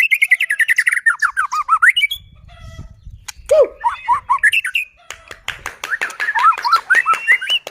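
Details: White-rumped shama in full song, used to provoke other shamas into singing: a rich run of looping whistled notes, then a gap with sharp clicks, then bright slurred whistles rising and falling in quick succession.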